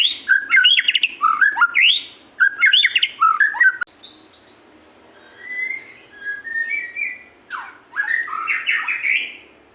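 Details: Caged white-rumped shama in full song, rich loud whistled phrases swooping between low and high notes, bursts separated by short pauses, with softer sliding whistles later.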